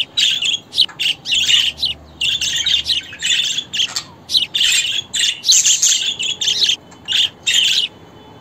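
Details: Busy budgerigar chattering, a steady stream of scratchy, buzzing chirps and warbles broken into short irregular phrases over about eight seconds.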